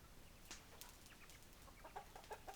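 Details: Hens eating in the morning: a few short, soft clucks in quick succession toward the end, over steady background hiss and faint clicks.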